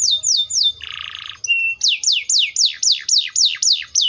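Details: Canary (Serinus canaria) singing: descending whistled slurs, a dense buzzy rattle, a brief level tone, then steady repeated downslurred notes about four per second.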